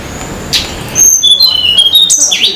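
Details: Wild Sunda laughingthrush singing in mountains near Banyuwangi, Indonesia: after a short noisy opening, a string of high, clear whistled notes, some steady and some sliding downward, over faint background hiss.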